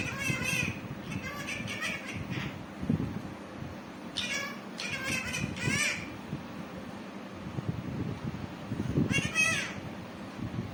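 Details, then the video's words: Green pet parrot giving short harmonic, chattering call bursts in clusters near the start, middle and end, with quiet pauses between and low indoor background noise. "Parrot Original sound🦜🦜parrot Cute talking"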